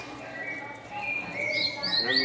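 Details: Competing black and brown double-collared seedeaters around 8 in the morning give high, thin whistled notes that rise into quick sharp upslurred chirps near the end, with a man talking over it.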